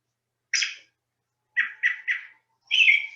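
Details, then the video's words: American robin song: short, clear, warbled phrases, one note, a pause, then three quick similar notes and a final longer slurred phrase, with a quiet background. "So this is a robin, and we're all familiar with what robins sound like. I'm going to play the sound now."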